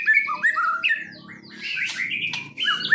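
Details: Medan-type white-rumped shama, a kept songbird, giving clear slurred whistles followed by harsher buzzy notes, ending with another bright whistle.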